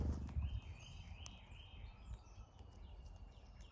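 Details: A flock of cowbirds at a feeder during migration, North America: low thumps open, then long warbling whistles rise and dip, joined by faint higher squeaks.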